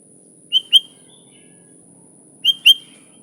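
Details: Energetic sooty-headed bulbul on a lure recording: two double-note chirps about two seconds apart, each pair whistled and slightly downslurred, over a quiet, steady high-pitched hum.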